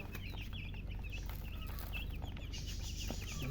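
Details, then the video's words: Baby chicks chirping from thirst for drinking water: a steady run of short, high, wavering peeps from several chicks, over heavy low background noise. "Murgi chicks Chirping sounds with thirst for drink water"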